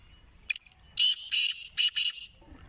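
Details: Grey francolin calling. A short burst comes first, then four loud, harsh, high-pitched bursts in quick succession over about a second and a half, with a low background rumble.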